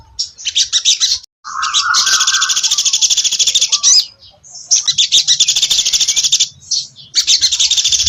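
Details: Spot-breasted laughingthrush song made of fast, harsh, rattling high-pitched phrases lasting one to two seconds each, a lower drawn-out whistled note between the first bursts, and short quiet breaks.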